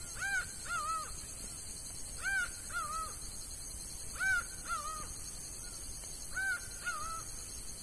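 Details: Song of a laughing falcon in Bahia's sertão, with four two-part phrases of a strong upslurred note then a falling, wavering second note, spaced roughly two seconds apart against a constant high-pitched hiss.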